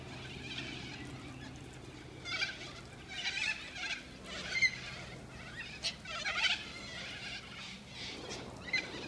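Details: Hundreds of corellas descending on suburban North Balwyn to feed, as happens several times a year, give harsh, grating screeches in overlapping bursts about once a second, a raucous flock chorus over low, steady background noise.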